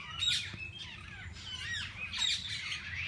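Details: Parakeets of several kinds in a parrot zoo's walk-in aviary; dense twittering chirps and scratchy squawks from many birds, louder bursts near the start and end, with low steady hum beneath.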